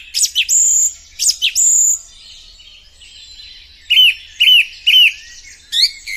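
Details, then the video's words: Song thrush singing: loud, clear whistled phrases, first a pair of sharp upslurred notes with long high whistles, then after a pause three repeated ringing notes and a final brief phrase. "Now let us listen voice of the song thrush bird, how it is singing."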